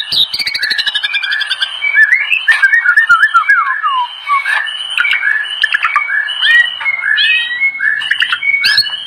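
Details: White-rumped shama in full song for use as a training master: a continuous, varied stream of loud whistles, sweeping slurs and sharp chattering notes, running without pause for nine seconds.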